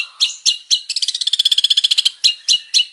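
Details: Male long-tailed shrike song in varied form: a few sharp chirps lead into a rapid rattling trill, then more clipped, bright notes.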